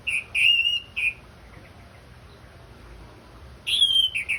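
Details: Orange-headed thrush (anis merah), Indonesia, heard in a therapy track used to prompt a bird to sing: loud, clear whistled notes held steady, broken into short phrases, then a long pause before another sweet whistled run.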